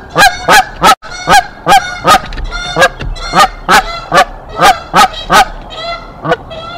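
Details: Canada goose pair defending the N2B nest in Decorah from an intruding goose in April 2024: a rapid run of loud, rhythmic harsh honks, roughly three a second, slowing and fading toward the end.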